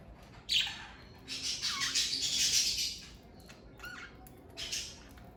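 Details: Pet budgerigars from a family of parakeets: a loud, dense warbling chatter of squeaks and whistles from about half a second to three seconds, then a few scattered short chirps.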